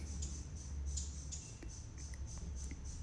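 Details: A territorial hummingbird, very angry at visiting hummingbirds, gives thin, very high chips about twice a second, with a few sharper ticks, over a steady low rumble.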